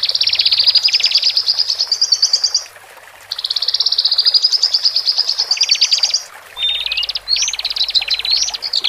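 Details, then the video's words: Male and female Horsfield's bush larks singing, played to help a caged bird newly separated from its flock relax and adapt: dense, buzzy high trills in long bursts, a short pause, then sharper rising and falling notes. "Pancingan Branjangan Jantan Dan Betina"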